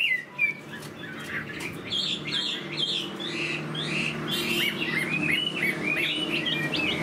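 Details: Caged Chinese hwamei in moult, one of many cages, gives scattered short whistled phrases and chirps, gradually joining into a quicker warbling run, over clicks and low room noise.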